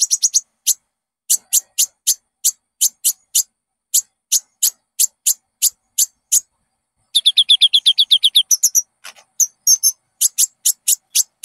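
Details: Konin song played as a lure to get caged birds singing: runs of sharp, very high chip notes about four per second, then a fast buzzy rattling trill and more high chips. No other sounds.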